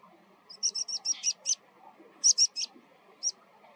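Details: Water pipit calling as it takes flight: a rapid string of thin, high, clipped chips, then a short pause before three more and a final lone note, against a quiet background.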